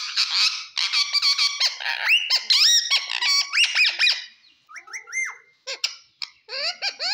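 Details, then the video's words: Green pet parrot talking: dense run of loud, harsh harmonic squawks and chattering syllables with rapid pitch bends, briefly pausing near the end before resuming in quick bursts. "parrot talk everything cute talking funny"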